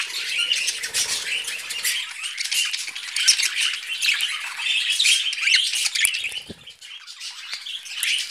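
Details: Budgerigars kept as pets, busy eating vegetables, keep up a steady high scratchy warble with rapid clicks and chirps, loud throughout, fading slightly near the end.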